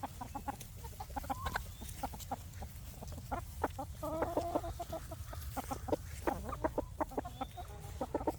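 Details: Free-range chickens foraging for bugs around a farm by day make soft, scattered clucks and short murmured notes, with a brief burst of quick stacked clucks midway over steady low rumbling background noise.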